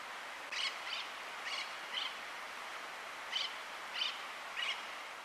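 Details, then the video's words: Austral parakeet (Enicognathus f. ferrugineus) in Tierra del Fuego National Park, Argentina, March 2022, gives seven harsh, grating, high-pitched screeches in two loose bursts over a faint background hiss. "Conure magellanique (Enicognathus f. ferrugineus) Austral Parakeet"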